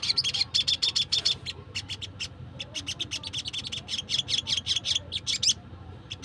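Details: Wild crimson sunbird used to lure wild birds, giving a rapid, excited chatter of short high ticks, roughly two per second, in uneven bursts with brief gaps, over faint low hum.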